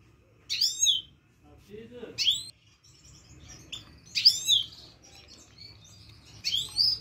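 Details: Himalayan goldfinch, locally called saira, singing a rolling song: bright twittering phrases of high, tinkling notes with buzzy slurs, delivered in bursts every second or two, with brief pauses and faint low murmurs in between.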